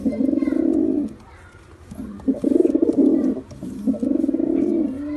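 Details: Three long bouts of low, burbling pigeon cooing, each about a second long and separated by quiet gaps.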